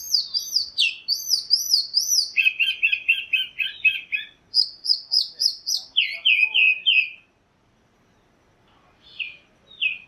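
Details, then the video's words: A chalk-browed mockingbird sings a long, varied medley: very high rippling whistles repeated several times, a run of lower chattering notes, more high repeated notes, then falling slurs after a pause. "Calandria Grande Canto - Calandria Grande - Chalk-browed Mockingbird Bird Song - Mimus Saturninus"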